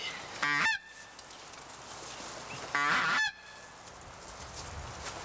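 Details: Geese flying high near a lake on a clear bluebird day, heard by hunters in a blind: two loud, nasal honks about two and a half seconds apart, each a brief harsh blast, over a steady outdoor hiss.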